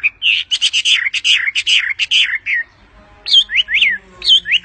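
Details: Bird singing while sitting on its owner's hand: a rapid, dense stuttering trill of high notes, then a pause and a few separate swooping whistled phrases.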